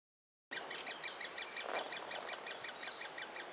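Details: Great spotted woodpecker young being fed in a willow trunk in Biesummerbos woodland near Delfzijl; high, harsh chattering begging notes repeated about three times a second, steady and insistent, after a short silence at the start.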